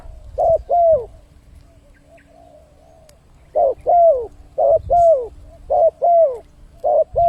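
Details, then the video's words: Lure call of a spotted dove for attracting wild birds: a brief pause, then a run of clear cooing pairs, short then longer and sliding down, given in quick succession with faint low noise beneath. "suara pancingan burung tekukur, untuk mendatangkan burung liar."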